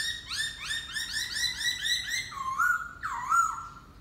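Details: Laughingthrush song: a quick run of about eight short upward-sweeping whistles, then looping, warbled whistled notes that rise and fall.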